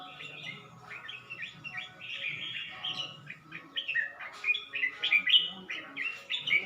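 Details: Caged red-whiskered bulbul from Suan Phueng, Ratchaburi, Thailand, recorded 29 May 2020, three weeks after changing owners and newly starting to sing: a run of short warbled, bubbly phrases, with rising sharper notes toward the end, over faint low background hum.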